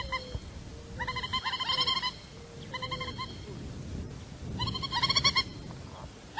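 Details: Peruvian thick-knee (Burhinus superciliaris) of Lima, often heard at night in fields, song likened to laughter: bursts of rapid, harsh, stuttering notes in three rattling phrases about two seconds apart, over a faint low steady tone.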